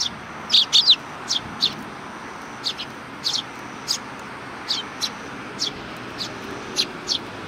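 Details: Group of sparrows at a Tenmangu shrine giving a welcome in July 2020, a quick cluster of bright chirps opening, followed by evenly scattered single high tweets about every half second.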